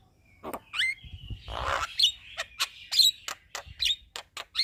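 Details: Javan myna in full chattering song, recorded as training material for other birds: scattered squeaky chirps and short whistles, with one harsh, noisy burst in the middle and faint low rumbling underneath.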